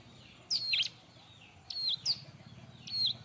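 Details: Bar-winged prinia song used for training other birds: scattered short, high, flat whistles ending in quick twisted flicks, given in spaced bursts about once a second, over a constant low background hum.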